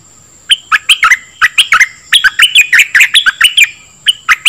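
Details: Dok taeng bird song played to train young birds and excite them: rapid bursts of sharp, slurred chirps sweeping between mid and high pitch, delivered in a quick irregular series after a short pause, with a steady faint high whine throughout.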